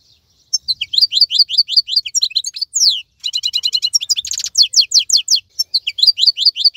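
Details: European goldfinch in a cage, still singing during moult, delivering a lively series of high slurred chirps, rapid twittering and a couple of buzzy trills, with a few faint low knocks in the background.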